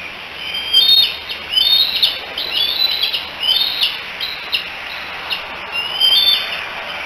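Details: On 16 July 2018 a nest camera at Decorah catches three bald eaglets chatting together, likely calling for their mother. High, thin, sharply rising and falling squeals come in about seven quick bursts, a second or so apart, over steady low hiss.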